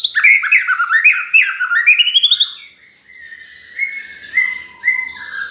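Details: Lure song of a white-rumped shama meant to provoke other birds: rapid series of rising whistled upslurs, then after a brief pause softer sustained whistles and warbling notes.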